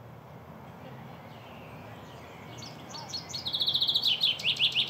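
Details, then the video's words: A male chaffinch singing: after a few quiet seconds of faint high notes, a loud burst of rapid repeated high chips begins and runs into a descending series of chirps near the end, over steady low background rumble. "chaffinch sound"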